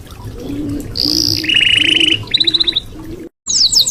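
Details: Red canary singing a varied song: a high sustained whistle, then a fast buzzy trill, then a clipped series of rapid notes, ending in short high twitters. A steady low hum runs underneath.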